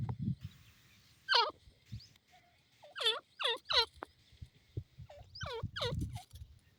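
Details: Grey francolin, known locally as teetar, calling: loud harsh grating notes descending in pitch, given in quick clusters of two or three with short pauses, over faint low rustling.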